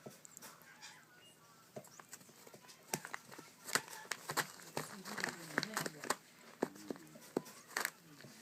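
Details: Grey parrot chicks being hand-fed give rapid raspy clicks and short wheezy, nasal begging notes in irregular bursts, with handling and rustling noises close by.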